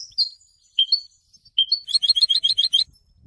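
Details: After its moult, a European goldfinch sings: a few separate high whistled notes, then a quick liquid twittering trill of closely repeated notes lasting about a second; clean recording, nothing else heard.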